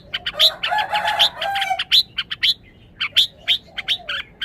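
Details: Red-whiskered bulbul opening with a throaty warbling burst laced with chirps, then shifting to spaced, crisp high chirps.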